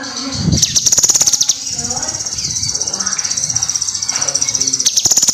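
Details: Kinoi song for training other cage birds: a long, high, rapidly pulsed trill held steady, with a louder burst of fast ticking notes near the start and a low thump at the beginning.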